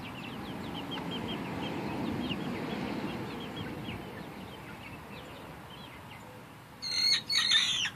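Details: A 5-week-old rooster gives a short, squeaky, broken crow near the end, after soft high peeping chirps from chicks.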